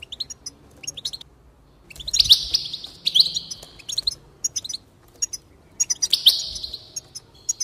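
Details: Goldfinch song meant to encourage singing: sparse high chirps, then three loud buzzy, nasal trills, each sliding slightly downward, separated by bursts of quick tinkling notes.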